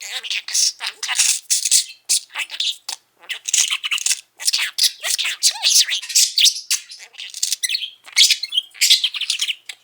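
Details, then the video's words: Pet male budgie, five years old, kept indoors, chattering without pause in rapid, scratchy bursts of mimicked speech mixed with high chirps and warbles, the phrases packed closely together with brief gaps between them. "Mango the incessant talking budgie"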